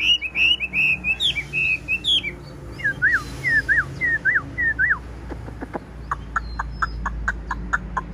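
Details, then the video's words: Tame, blue-eyed Chinese hwamei, caged, pours out rapid fluttering whistles, then a run of downward-slurred notes. It ends with a string of short, sharp clicks. "Bộ to mặt đẹp, mắt xanh, chim thuần sách lồng vẫn hót | Họat Họa Mi"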